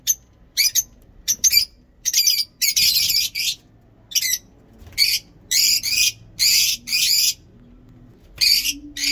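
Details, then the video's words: Lovebird in heat giving a long ngekek: harsh, buzzy, high chatter in dense bursts of half a second to a second, separated by short pauses, continuing steadily throughout, with a faint low hum underneath. "Lovebird ngekek panjang"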